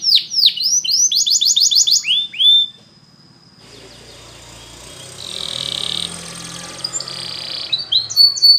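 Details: Canary training song: a little over two seconds of rapid, high, swooping notes and a fast rolling trill, then a quiet noisy stretch with faint hissing and a few high chirps near the end.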